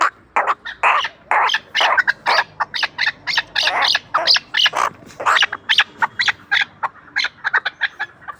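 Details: Chukar partridge kept for hunting, from Ishkashim, Tajikistan, giving loud, harsh, broadband chuck notes in a dense, uneven run of about two per second throughout.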